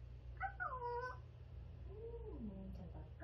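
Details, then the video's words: Young grey parrot, eight months old, kept as a pet indoors, babbling softly: quiet tonal chatter with a few short gliding notes early on, then a lower wavering phrase, over a steady low hum. "말하는 앵무새 🐦병아리는 까꿍 🐣 아기 회색앵무"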